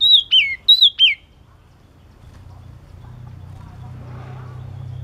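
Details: Two crisp whistled phrases of a yellow-cheeked tit, each a high note sliding sharply downward, followed by silence and then a rising low rumble of background noise.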